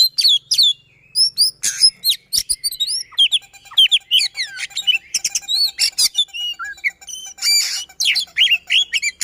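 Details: Oriental magpie-robin singing a fast, dense, persistent song in the rapid-fire 'roll tembak' style, played to prompt silent magpie-robins to sing; a rapid stream of varied high whistles, sharp upslurred and downslurred notes and chattering trills with almost no pauses.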